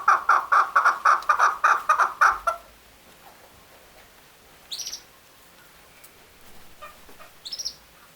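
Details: Male chukar ending a fast, rhythmic string of harsh clucks in the first two and a half seconds, followed by quiet, with two short, high, thin chirps later on.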